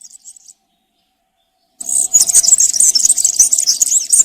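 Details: European serin country-style song for tutoring young birds: after a brief silence, a fast, very high, tinkling and buzzy warble runs continuously to the end.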